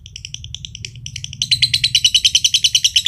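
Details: Josan (standard green) lovebird from Mojokerto in long ngekek: softer spaced chattering notes, then a loud, fast, harsh pulsed trill bursting in halfway and continuing steadily.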